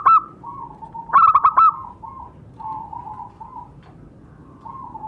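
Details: A lure recording of a zebra dove, meant to prompt caged doves to answer. A short coo opens it, then a loud burst of four or five rapid, bubbling notes follows, with quieter, drawn-out coos continuing underneath.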